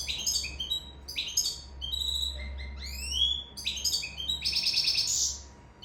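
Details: European goldfinch from Sicily singing in love, repeated bursts of sharp tinkling chirps and rising slurs ending in a long buzzy rattling trill; a low rumble runs underneath.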